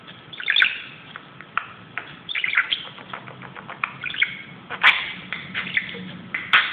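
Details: Budgerigar indoors, playing wildly on top of a closet: busy stream of short scratchy chirps and warbles, with several louder sharp clicks and squeaks standing out.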